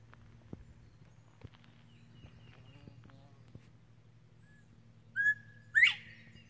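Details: A male Northern bobwhite sings from a slash pile of dead trees: one two-part whistle, a short level note then a loud, sharply rising whistle, over a low steady hum.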